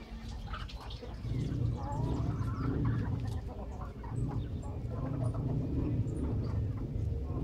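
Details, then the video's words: Grandmother's hens making a great racket: overlapping clucks and squawks repeat rapidly, several birds calling at once over a low rumble, with a brief spoken exclamation at the start. "As galinhas da Vovó fazendo o maior barulho"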